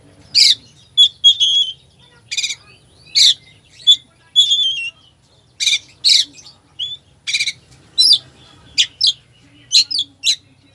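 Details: Oriental magpie-robin giving a 'full isian' song as bait for a slow bird: harsh high squawks alternate with short level whistles, phrases coming roughly every half second to second, with brief gaps.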